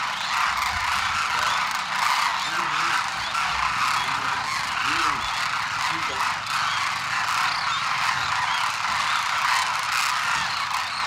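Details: Wintering flock of Demoiselle Cranes at Khichan village, Jodhpur district, Rajasthan, India: a dense, unbroken chorus of many overlapping honking calls, with a few lower trumpeting notes rising out of the steady wall of sound.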